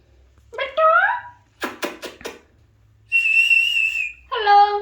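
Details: Alexandrine parakeet mimicking: a rising squeaky syllable, three harsh bursts, then a steady high whistled tone and a shorter nasal note.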